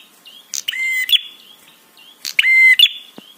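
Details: Prinia 'trapi' calling to provoke other birds and arouse them: two long, harsh buzzy notes, each held about half a second, flanked by thin high whistles and chirps.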